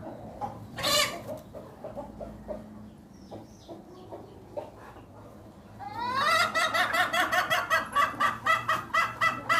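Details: Domestic hen giving an unusual, odd call: a loud harsh squawk near the start, quiet scattered clucks, then a fast run of strident, rising, harmonic-rich notes repeated about twice per second to the end.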